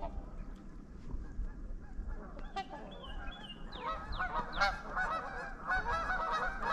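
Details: Trumpeter swans on the icy Huron River, Ann Arbor, Michigan, on a February 2021 afternoon at about 21 degrees, from a group of 11 adults and two juveniles. Quiet at first, then overlapping nasal, horn-like honks rise in the last three seconds over low rumble.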